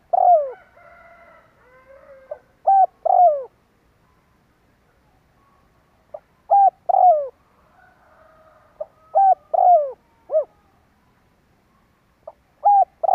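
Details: Kích bổi call of a spotted dove, played as a lure: repeated mellow phrases of short coos and long falling croos. Faint layered nasal sounds run underneath at times, quieter than the cooing.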